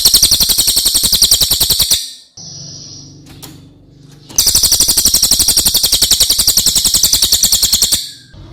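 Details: Cililin song used as master material for training other birds: two long, loud, very high rolling trills of rapid even pulses, about four per second, separated by a short gap with a faint steady tone and low background hum.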